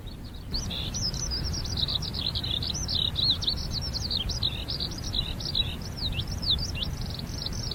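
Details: Eurasian skylark in an open waterside area in summer, with temperatures near 30°C, pouring out a continuous, rapid, high-pitched warble of chirps and trills over a steady low rumble of wind or surf.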